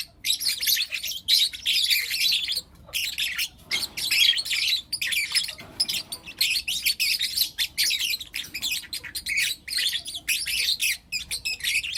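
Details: Four young lutino lovebirds keep up nearly continuous shrill, scratchy twittering in the morning, broken by brief silent gaps.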